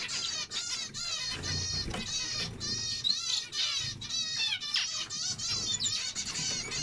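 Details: Zebra finch song: dense nasal, buzzy stacked notes repeated in quick bursts, several overlapping birds, with faint low rumble beneath.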